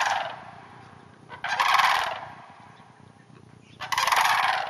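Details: Sandhill cranes in a neighboring hayfield about a half hour north of the Twin Cities, giving two loud, rolling, pulsed rattles about two seconds apart, each lasting roughly a second.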